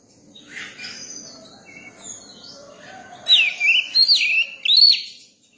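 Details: A young Oriental magpie-robin begins with quiet twittering and thin high notes. It then breaks into bright, loud whistles, sliding swoops and up-and-down curls repeated in quick succession near the end.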